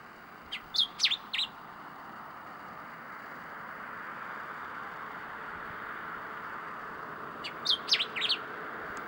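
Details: Common diuca finch (Diuca diuca) in Catamarca, Argentina, giving two brief phrases of three or four sharp, high chirping notes about seven seconds apart, over a steady background hiss.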